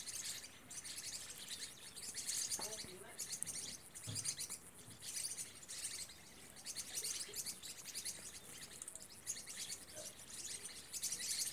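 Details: Green-rumped parrotlets in the Vale do Rio Real: dense, high, scratchy chattering in rapid bursts runs through the whole recording, with a few lower notes and faint voices in the background.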